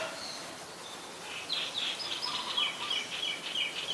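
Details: Female Asian koel calling, a quick run of shrill, chattering high notes that starts after a quiet second and keeps going to the end, set against steady background hiss.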